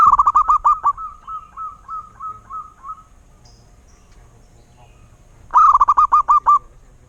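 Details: Zebra dove of a local wild type: a fast series of clipped coos that slows into evenly spaced, softer drawn notes, then after a pause a loud, rapid burst of stuttering coos.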